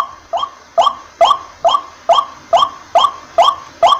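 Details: A water hen repeats one short, upslurred, nasal honking note roughly every half second, nine evenly spaced calls in a row over a quiet, faintly humming background.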